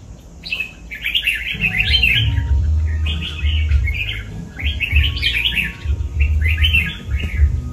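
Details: Four loud, busy warbled phrases from a kept red-whiskered bulbul, each a tight cluster of quick slurred whistles, separated by short pauses above a low pulsing background.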